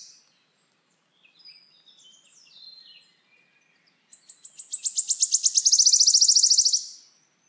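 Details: Wood warbler song: soft scattered high notes from other birds first, then the warbler's accelerating series of sharp ticks merging into a loud, sustained shivering trill for nearly three seconds.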